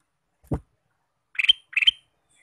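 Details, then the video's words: Ruby-throated bulbul, male, singing throughout the day: a single low thump, then two short phrases of clustered chirps, each ending in a bright high note, about half a second apart. "Kicau Burung Kutilang Emas: Gacor Sepanjang hari"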